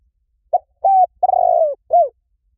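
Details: Spotted dove call meant to bring doves in fast: four coos in one phrase, the long third one rough and trembling as it slides down, closed by a short falling coo, with silence around it.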